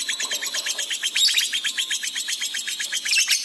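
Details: Excited lovebird chatter, recorded as a training track for pet birds: an unbroken stream of quick, squeaky high-pitched notes in an even pulsing rhythm, bright and piercing throughout.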